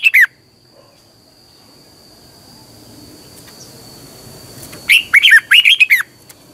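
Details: Red-whiskered bulbul morning song, double twisting voice used to train caged birds: a brief phrase end at the start, a long quiet stretch with a thin steady high tone, then two quick bursts of rolling whistled notes.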